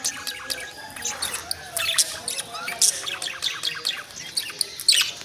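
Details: Happy, chattering budgerigars chirp in a busy mix of short, high, scratchy notes.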